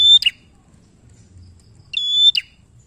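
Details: Bar-winged prinia in full voice, kept to coax untrained birds of its kind into singing; two bright, level whistles, each cut off by a quick harsh flick, about two seconds apart, in quiet surroundings.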